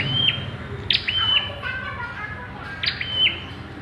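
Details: Bar-winged prinia at the pairing stage, with three high chirps carrying level buzzy tails, two close together and one after a pause, above a low steady hum.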